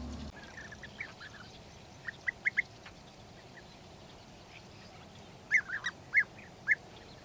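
European bee-eater giving short, liquid, rolling 'prruip' notes, first a quick burst of three or four, then a looser series, over faint distant birdsong.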